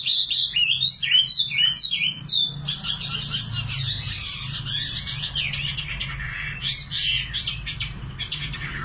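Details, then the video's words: Singing common nightingale opens with quick chirped rising notes, then breaks into dense rattling trills and scattered sharp notes, varied and energetic. "Singing nightingale. amazing bird song"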